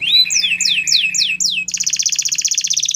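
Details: Belgian canary singing a training song: a series of falling whistled sweeps repeated about every quarter second, then a fast, bright, high trill rolling on steadily to the end, over a faint low hum.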